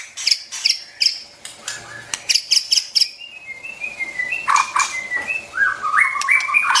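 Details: White-rumped shama song for stimulating wild-caught birds and training young birds: sharp clicking bursts first, then a chain of clear whistled notes stepping down and up, growing louder toward the end.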